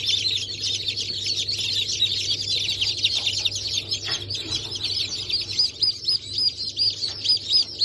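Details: Many newly hatched chicks (Brahma, Sultan, Sussex, Wyandotte; hatch of 28.01.2024) calling together, rapid high descending peeps, several per second, growing clearer toward the end, over a low steady hum.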